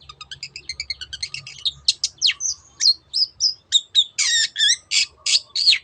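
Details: Long-tailed shrike (cendet) singing in the 'teot teot' style, used as a lure to get other birds singing: quick run of high, thin chirps, then louder harsh, buzzy bursts mixed with short whistled notes.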